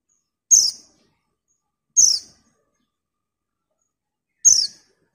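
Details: Female white-eye calling to a male: three short, sharp, very high chipping notes, each dropping slightly in pitch, spaced irregularly about one and a half to two and a half seconds apart, against a quiet background.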